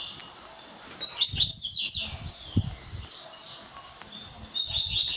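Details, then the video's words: Blue-black grassquit in brown plumage delivering a high, hissing, buzzy phrase lasting under a second, then another beginning near the end, with soft low knocks between. "Tiziu pardo"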